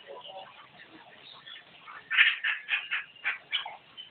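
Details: Javan myna in full gacor song: low muffled noise at first, then a fast series of loud, harsh, buzzy notes packed close together in the second half.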